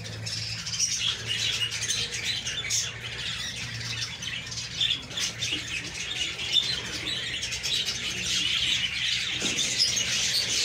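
Budgerigars keep up a dense, busy chatter of high chirps and scratchy warbles.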